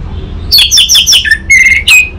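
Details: Lure song of an orange-headed thrush for training a raw bird to respond: four rapid bright whistles stepping down, a brief pause, a steady level whistle and a sharp closing note, over faint low hum.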